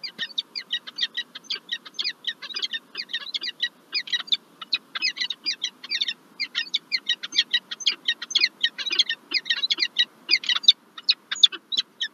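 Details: At the Lublin, Poland peregrine falcon nest in March 2024, with one egg just laid and the male bringing a gift, a long continuous chatter of raspy, harmonic notes runs without pause over faint background hum.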